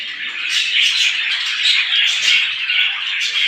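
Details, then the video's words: Morning chatter of a flock of small birds: constant, thick layer of shrill chirps and squeaky notes, rising into louder clusters every half second or so. "صوت العصافير في الصباح"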